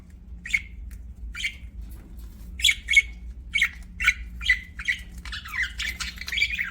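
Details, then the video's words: Budgerigars giving short, sharp chirps that drop in pitch, spaced about half a second to a second apart, building into a denser stretch of buzzy chatter at the end; faint low hum behind. "BUDGIES CHIRPING SOUND"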